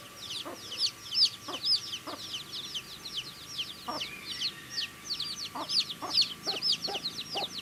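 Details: Baby chickens peeping while eating food: a busy stream of high, thin chirps, many overlapping, with short sharp clicks of pecking heard through the clip.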